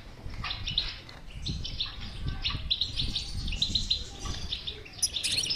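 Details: European goldfinch bitbita singing to encourage a silent goldfinch: tumbling, fast twittered notes in short bursts, ending with a high sharp flourish, over low background rumble.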